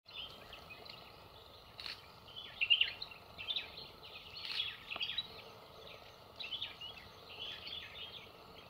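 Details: Chestnut-headed bee-eater eating insects, giving short, rolling trilled chirps in scattered bursts over a steady background hiss.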